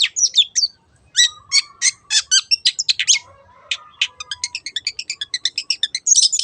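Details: Singing long-tailed shrike used as a lure for other songbirds: a long, fast medley of scratchy notes and chips, easing into a rapid even trill of ticking notes near the end.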